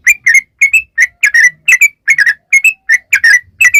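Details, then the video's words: Fast 'ropel' song from a yellow-vented bulbul, played to provoke bulbuls into singing: bright, bubbly double and single whistled notes in quick, uneven succession. "trucukan gacor ROPEL PANJANG buat pancingan trucukan agar bunyi"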